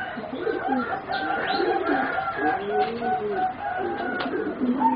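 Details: Competition-bred singing zebra doves, four young birds aged about three and a half to four months; overlapping soft arched cooing notes rise and fall through the clip, with brief higher clicks and a faint background hum.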